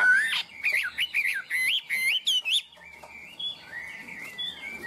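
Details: Chinese hwamei, a tame caged bird, sings a lively high 'cao cầu' passage: loud, warbling, rising whistles in quick succession, then softer, thinner wavering phrases fading off.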